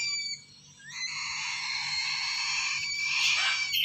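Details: Lesser sulphur-crested cockatoo chick begging with a continuous harsh, buzzy rasp rich in high harmonics, steady for nearly four seconds after a brief pause near the start.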